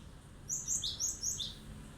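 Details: Cinereous tit singing sharply and energetically to provoke rival birds into calling back: a quick run of high, clear chirped notes, about five in roughly one second, stepping up and down, over a faint steady hiss.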